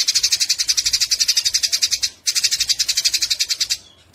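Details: Harsh rapid chattering from Eurasian tree sparrows in a fight, two bursts of buzzy high pulses separated by a short pause, then fading at the end.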